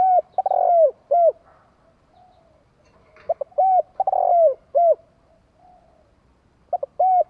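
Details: Spotted dove kept as a decoy for luring wild doves, cooing in three phrases: each a short stutter of notes, a long mellow coo falling at the end, then a clipped final coo, with pauses of a second or more between.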